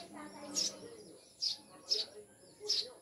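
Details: Four crisp, high chirps spaced unevenly come from pet Eurasian tree sparrows, known as maya and described as mountain birds, over a faint murmur of voices.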